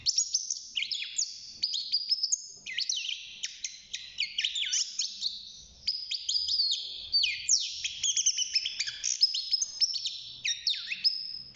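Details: Caged six-month-old European goldfinch in early song, delivering a long unbroken stream of bright, rapid twittering, slurred chirps and short buzzy trills with barely a pause.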